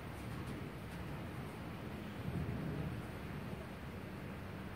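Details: Quiet low rumble and soft wind hiss fill the recording; no animal calls can be picked out.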